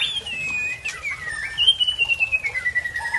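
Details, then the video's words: White-rumped shama from Tangse, Aceh, showing its learned song repertoire: a clear whistled phrase that slides down, then a long thin whistle breaking into a fast descending trill of rapid pulses. "Murai Aceh Asal Tangse Bongkar Isian"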